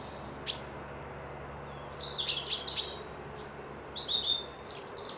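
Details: Wild birds whistling during a peaceful midweek break near Dundee, Scotland, beside a loch: a lone high chirp, then a quick run of sharp high notes and thin sliding whistles over a faint steady hum.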